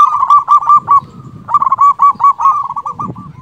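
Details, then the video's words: Local zebra dove in full song, a strong voice for calling rivals: a rapid rolling string of bright cooing notes, a short pause, then another quick burst ending in trailing lower notes. "Perkutut lokal gacor Suara BESAR ampuh memanggil lawan BUNYI EMOSI manggung"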